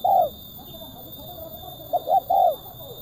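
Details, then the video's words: Tekukur, or spotted dove, singing in a crisp, sharp kuk 1 style meant to lure birds down: a lone mellow coo, a pause, then two quick notes and a drawn-out falling coo, with a constant high electronic tone. "DI JAMIN TURUN, TEKUKUR SUARA MERSIK TAJAM,RAPAT //KUK 1//THN 2024"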